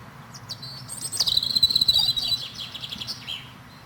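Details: European robin singing a high, thin warbling phrase of sweet trills and fluttering notes from about one to three seconds, ending in a brief lower twitter, over faint background hiss.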